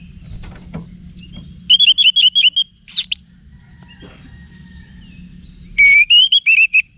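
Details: Orange-headed thrush song for training cage birds. A rapid series of short, even whistled notes, a single high squeaky note, a quiet gap, then a rising whistle followed by quick repeated notes. Faint hum underneath.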